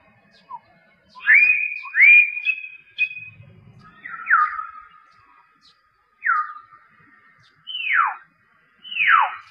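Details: Common hill myna (Gracula religiosa) call: loud, clear whistles, a few sharply rising notes, then several steeply falling ones, spaced one to two seconds apart.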